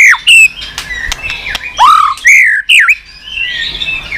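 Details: White-rumped shama with 'tạch' singing for stimulating a weak-spirited bird: loud falling whistles and swooping slurred notes between pauses, with quieter warbling behind.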